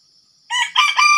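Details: Red junglefowl from Sumatra crows during an attempt to lure wild junglefowl with a decoy. The harsh, broken, multi-part crow is loud and clipped before it ends, and a continuous high insect hum sits under it.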